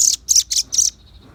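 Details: Velvet-fronted nuthatch song for luring birds: four quick, piercing high chips in a short burst, then silence.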